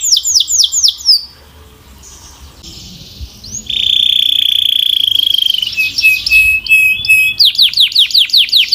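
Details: Canary singing in pieces: quick falling notes, a quiet gap, a long pure high tone held for two seconds, then a renewed burst of rapid falling notes.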